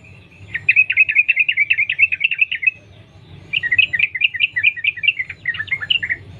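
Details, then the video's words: Sooty-headed bulbul in the wild singing vigorous, continuous ropel-style song, used to lure other bulbuls into song. Two long runs of rapid, evenly repeated chirpy notes, each over two seconds, are separated by a brief silence. "Trucukan gacor Sambung ropel nguplik alam liar | pancingan trucukan agar bunyi gacor"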